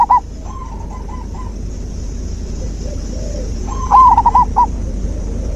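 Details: Zebra dove song played as nature therapy for a dove that has gone silent: a short opening coo phrase, then faint low coos, then a louder run of quick rolling coos near the end over steady hiss.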